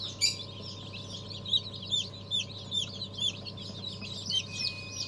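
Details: Newly hatched ornamental chicks from the year's first hatch on 14 January 2023, giving high, short peeps at uneven intervals of about one a second, several overlapping, over a steady low electrical hum.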